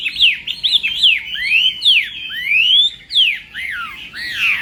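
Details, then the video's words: Chinese hwamei singing at morning voice training for song contests: bold, clear whistles, each a loud downslur or long rising sweep, separated by brief pauses, with a varied, unhurried delivery. "Hoạ Mi Hót Đấu /hoạ mi hót sáng luyện giọng kich bổi sổ giọng chim hót hay mỗi ngày/"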